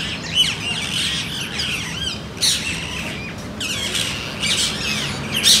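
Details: Native Indian parakeets, a type of green parrot, calling with harsh, squawking screeches and chattering notes in bursts, some sliding up and down, over a steady low rumble of background noise.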